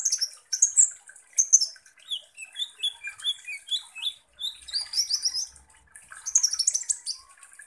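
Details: Lively sunbird (kolibri ninja) song used as a lure to excite rival birds. Sharp, very high chips open the clip, then a series of short pure whistles in stepped pitches, followed by more dense twittering.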